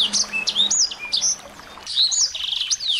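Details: Several small birds trade quick, high chirps and looping whistled phrases, used as lure audio to make a white-rumped shama sing. A faint low hum runs underneath, with a brief lull midway.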